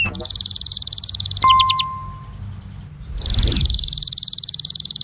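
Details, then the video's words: Belgian canary producing rapid buzzing trills meant to warm up canaries, rolling steadily, breaking briefly with a faint plain tone and near silence, then resuming the same fast pulsing trill. "INCARTE para esquentar canario belga"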